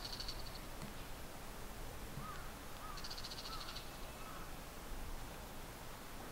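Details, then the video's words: Two male Bull-headed Shrikes calling to each other from a rooftop TV antenna and a treetop in Japan, early July 2014, possibly in a territorial dispute; two bursts of harsh, rasping chatter, each under a second, over a steady low background hum. "Bull-headed Shrikes in Territorial Dispute モズ♂（野鳥）の鳴き交わし♪"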